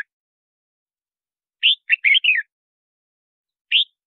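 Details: Red-whiskered bulbul song for attracting wild birds and voice training: one brisk four-note warbled phrase, slurred and bright, followed after a second's gap by a single short note, in silence otherwise.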